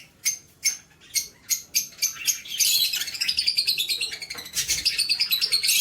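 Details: Lovebirds recorded on 20/2/2024 give sharp, high chirps repeated about every half second, then break into dense, rapid twittering chatter.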